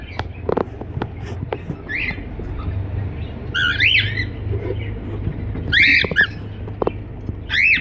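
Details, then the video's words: Cockatiel singing and chirping: a few loud whistled chirps, each rising then falling sharply, spaced a second or more apart, with soft clicks and a low background hum between them. "Cocktail singing and chiriping"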